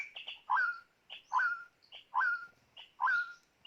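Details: White-rumped shama kept as a trapping decoy, repeating one loud phrase four times, each a short note then a rich, bending whistle that slides down and levels off, under a second apart.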